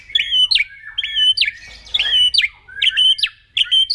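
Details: Kretekan-style song of a white-rumped shama used as a lure: one phrase repeated about five times, each a held high whistle ending in a sharp downward flick, with faint rustling between.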